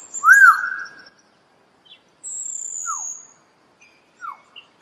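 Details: Common hill myna (Gracula religiosa) song: a loud, arched whistle, then a thin, very high drawn-out whistle, and two short downslurred notes spaced about a second apart.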